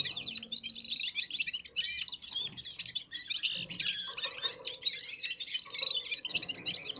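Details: Red-fronted serins join other birds in a unison warm-up song. Busy high chirping and jumbled trills run throughout, over a faint low hum.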